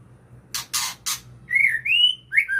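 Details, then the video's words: White-rumped shama, 'ngukluk' style: three coarse, scratchy bursts in quick succession, followed by smooth whistled notes that climb and then fall. "Murai ngukluk"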